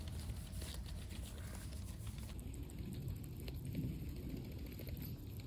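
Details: Steady low rumble like wind or distant traffic, with faint patter and a thin high electronic whine, and no animal voice heard.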